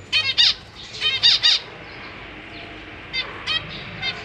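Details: In a large cage on 4 May 2023, zebra finch parents feed three juveniles and three newborn young; a quick run of sharp, nasal, downward-slurred calls, then a pause and a few softer ones.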